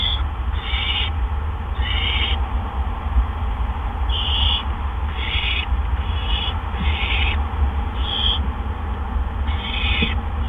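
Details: Barn owls in the nest on April 17, 2013, around 8 PM while adults deliver gophers one after another; run of repeated breathy, rasping screeches, some paired, over a constant deep hum.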